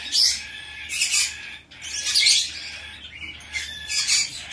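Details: A hand-tame young Bourke's parrot in Fukuoka, Japan, on 10 September 2024 gives about four bursts of high, scratchy chirping in under five seconds, separated by brief quieter pauses.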